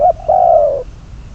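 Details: Decoy spotted dove used for trapping, giving a brief clipped note and then one long, smooth, slightly descending coo that fades out.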